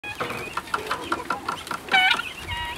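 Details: Guineafowl on their first trip outdoors: a quick run of short, harsh clucking notes, then a louder, ringing harmonic call near the end and a few thinner notes after it.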